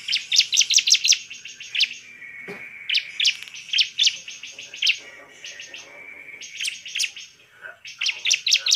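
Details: Bar-winged prinia (ciblek) in full song, used as a lure to rouse other ciblek into angry, persistent singing; bursts of rapid sharp high chirps in quick runs, separated by short pauses and a thin steady whistle-like tone.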